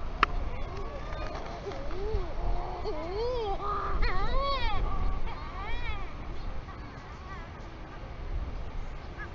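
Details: Sooty shearwater visiting a New Zealand royal albatross nest at night, landing near the incubating albatross, gives a run of wavering, moaning calls, each note rising and falling, against a steady low rumble of wind.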